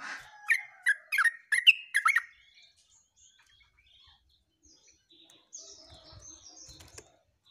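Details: Yellow-vented bulbul on 29/08/24 delivering a quick phrase of about six loud, rich chirps that slur downward, followed by quiet, thin high twitters and a few soft taps.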